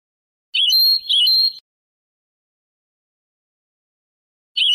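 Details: European goldfinch singing in the Moroccan Sebtaoui style, from an old cassette tape of the late 1990s to early 2000s: two quick twittering, tinkling phrases in about a second, then silence, and a new phrase begins.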